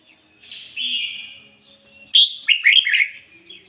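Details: Red-whiskered bulbul, a captive decoy bird, in 'ngoi bổi' song: after a faint drawn-out tone, a lively burst of four loud, bubbling whistled notes stepping downward.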